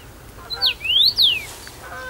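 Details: First-summer male common rosefinch singing from a favoured branch at Bazel, Belgium, in June 2015: a short phrase of clear, steeply sliding whistles rising and falling, with quiet background.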